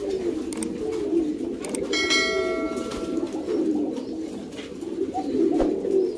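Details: Domestic pouter pigeons in a loft coo steadily in a low murmuring chorus; a ringing metallic clang sounds for about a second midway, with light taps throughout.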